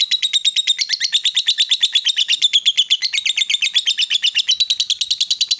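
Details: Lovebird female fighter rattling out a long ngekek chatter to provoke rival lovebirds, shrill rapid notes tumbling over each other nonstop for nearly six seconds, with no other sounds.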